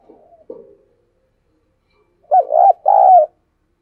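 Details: Decoy dove calling wild doves: faint rough notes at the start, a pause, then a louder coo phrase of an arched note and a long low coo.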